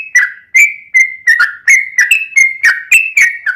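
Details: Caged-bird master song of a yellow-vented bulbul, ropelan tembus-tembus with ngelituk fill: crisp repeated whistles, some flat and some swooping down, about two or three a second.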